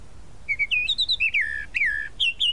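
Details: A tropical mockingbird, called sabiá-da-praia in Brazil, sings a quick series of clear whistled notes climbing in pitch, followed by two longer falling slurred phrases and a final pair of bright rising notes.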